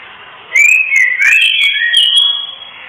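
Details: Kretekan call of a female white-rumped shama, used to bring males into breeding condition. A single whistled phrase of rising and falling slurs with sharp high ticks, then a steady hum.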